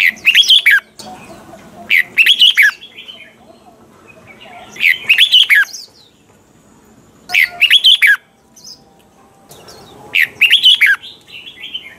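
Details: Red-whiskered bulbul, recorded to train caged birds, singing a double-note song in mature forest style: five short warbling phrases of quick, looping whistles, spaced roughly every two to three seconds against a quiet, slightly humming background.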